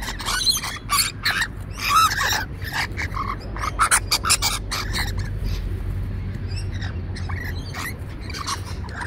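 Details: In Sydney, Australia, on 29 July 2021, an adult rainbow lorikeet pair plays and tumbles on a lawn in bonding behaviour. Other lorikeets nearby give harsh, rapid screeching chatter in short bursts several times a second, over a low rumble of wind.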